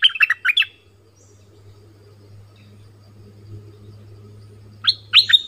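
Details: Bulbul kept as a decoy bird in southern Thailand gives two short bursts of rapid chirping notes, one at the start and one at the end, with a faint low hum in the pause.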